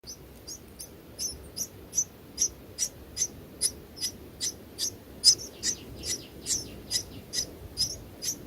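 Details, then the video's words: Newly hatched nestlings being fed by their mother in a clay nest box give high, thin chirps about twice a second in a steady series over a low hum. "Bird feeding babies"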